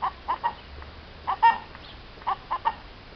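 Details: A hen recorded in April 2015 clucks in groups of three short, throaty notes with pauses of about a second between groups; one note rises into a louder squawk.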